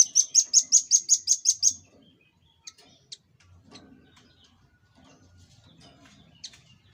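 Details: Velvet-fronted nuthatch master recording used to train cage birds. Opens with a rapid burst of nine piercing, high chipping notes in under two seconds, followed by a few isolated faint chips and a low background hum.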